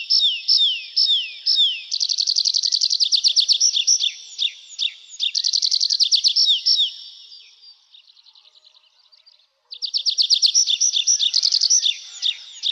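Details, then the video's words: Nightingale singing varied phrases: slurred downward whistles, then fast rattling series of repeated notes, a pause with soft quiet notes, and another loud rapid trill of repeated notes. "Пение соловья"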